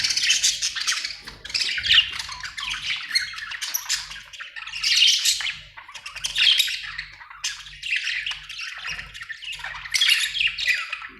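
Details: Happy budgies chattering, Australian birds: continuous scratchy warbling and squawky chirps in bursts of about a second, several birds overlapping, faint low hum underneath.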